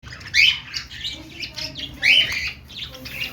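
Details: Budgerigars, kept as pets, playing and making happy sounds: bursts of bright, scratchy chirps and warbles near 0.4 and 2.1 seconds with softer chatter between, over a low steady hum.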